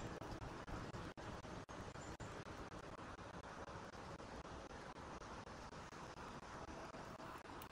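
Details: Steady roadway traffic rumble fills the recording, broken by several sharp clicks and brief dropouts, with no animal calls audible.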